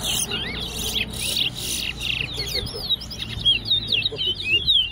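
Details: At Tuschen bird ground in West Essequibo, a competing towa towa gives a lively stream of high looping whistles and sharp slurred chirps, opened by harsh noise bursts, with a man counting in the background.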